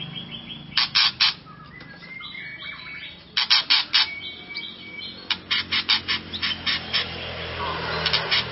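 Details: White-rumped shama song played to provoke and excite another shama: bursts of harsh buzzy notes alternating with a few thin whistles, in three clusters, over a low steady hum.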